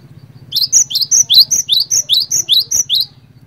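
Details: Cinereous tit (glatik batu) lure song, used to prompt other tits to sing along: a fast run of about ten bright, high two-part whistled notes at an even pace, with a constant low electrical-sounding hum behind.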